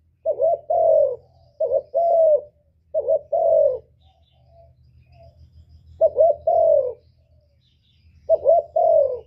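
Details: Low cooing of a spotted dove, a recording used to lure wild doves into traps and rouse kept birds. Four phrases, each a quick double note then a drawn-out falling coo, separated by pauses with soft low rumble.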